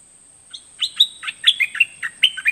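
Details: Bulbul singing a lively series of clear whistled notes, some rising and some falling, spaced irregularly and growing busier toward the end, over a faint steady high hiss.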